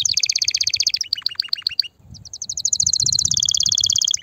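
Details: Excited canary singing to ready females for mating and nest building: a quick pulsed trill, a run of descending slurred notes, a short pause, then an accelerating rattling trill.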